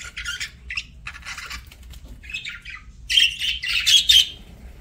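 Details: Budgerigar during a meal: soft scattered scratchy pecks at first, then a louder cluster of crunching with thin squeaky chirps over the last two seconds.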